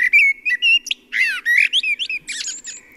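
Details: Common blackbird song, a full, warm, deep and well-articulated voice: mellow fluted whistles in a short melodic strophe, ending in brief squeaky high twitters, the discreet thrush squeak.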